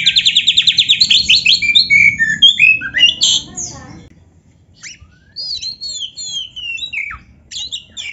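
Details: Oriental magpie-robin in full, lively song packed with canary imitations: fast rattling trills repeated about every tenth of a second, then sweeping and slurred whistles after a brief pause, with a faint low hum underneath.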